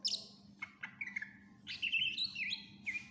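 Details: Greater green leafbird in lively full song meant as a tutor recording: a high whistled opening, clipped chips, then a run of slurred, warbling whistles rising and falling, over a faint steady hum.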